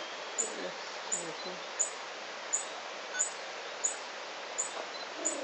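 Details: Tawny-bellied hermit filmed at La Romera nature reserve, Sabaneta, Antioquia, Colombia: a very high, thin, sharp note repeated steadily about every two-thirds of a second over a quiet hiss.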